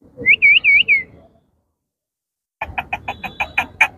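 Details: Indian ringneck parakeet kept as a pet gives four looping whistled notes in quick succession. After a pause, a fast series of about nine clipped chattering pulses follows, over low background hum.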